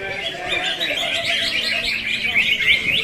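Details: A champion greater green leafbird at a songbird contest in Ngunut, Tulungagung pours out a fast, unbroken stream of high, chattering, warbled notes, with human voices murmuring underneath.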